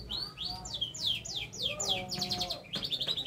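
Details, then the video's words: Lively canary song, the bird reportedly learning to shake its head: a series of loud downward-slurred whistles, then a softer warble and crisp clicking notes. "kenari gacor belajar geleng-geleng kepala"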